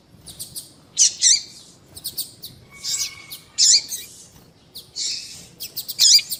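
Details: Female double-collared seedeater calling, used to excite male birds: bursts of high, sharp chirps and trills about every second, some with buzzy rising notes, with a faint steady whistle in a pause.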